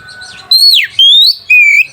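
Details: White-rumped shama song used to provoke rival birds and arouse mating: loud pure whistles, one sweeping down from high to middle pitch, then a rising whistle and a long steady note, separated by brief pauses.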